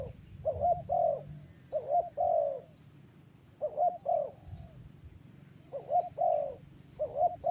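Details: Spotted dove cooing in repeated phrases, each a short hooked coo followed by a longer, slurred, falling coo, groups separated by brief pauses over a low rumbling background.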